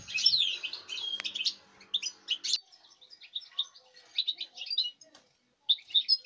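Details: Song of a European goldfinch bred this season, dated 5 August 2019: bright, high chattering phrases with liquid twitters and short trills, broken by brief pauses before a final burst.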